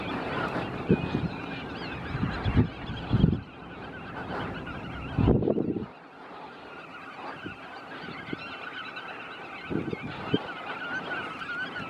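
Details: Eurasian coot (Fulica atra) giving short, explosive honking notes at irregular intervals, a few close together, over a low rumbling background with faint bird calls.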